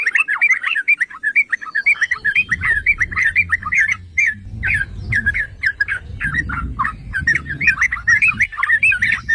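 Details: Yellow-vented bulbul song used as bait to provoke other bulbuls into singing: dense, rapid bubbling chatter of short warbled notes, several per second, with low rumbling background noise from about two seconds onward.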